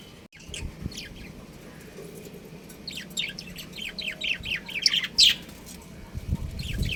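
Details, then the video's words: Breeding pair of pet budgerigars at home, producing a rapid series of short, high, sharp chirps and scratchy twitters, louder toward the middle, over a faint low background hum. "Cute Budgies Chirping Sounds | Budgies Breeding Pair"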